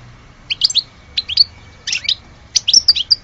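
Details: European goldfinch, Algerian type, giving short bouts of two to four sharp twittering notes, each bout about half a second apart, against a quiet background.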